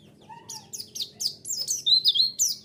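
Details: Lure song of a white-eye meant to get a response: a faint low whistle, then a string of bright, high chirps and short steady whistles, growing louder over a few seconds.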